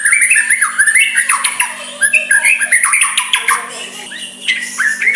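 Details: White-rumped shama singing softly to provoke a rival into answering; fast, continuous medley of whistles, chatters and harsh notes with high metallic overtones, barely pausing, faint hum below.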